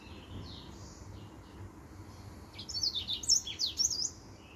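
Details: Finch with white tips, a singing male: soft high notes, then a loud rapid burst of bright chirps and falling whistles in the second half, low hum behind.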